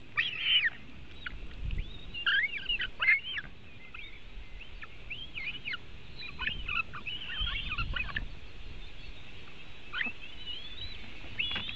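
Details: At a white-tailed eagle nest in Latvia as the eaglets are fed, June 2018 afternoon: scattered short high squeals and yelps, louder at first then fading, over continuous low wind rumble.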